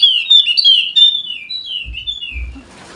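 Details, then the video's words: Song of a Wallacean white-eye, golden-headed form of Sumbawa, used to make lazy birds sing: a tumbling stream of high sweet warbled notes gradually descending, with a couple of low thumps near the end. "Pancingan Khusus Untuk Burung Pleci Wallacea Yang Malas Bunyi Agar Rajin Bunyi Gacor!!!"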